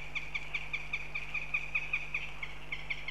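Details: Northern goshawk recorded in Riga, Latvia, giving short, sharp, clipped notes repeated about two to three times per second in an even series, over a steady low hum.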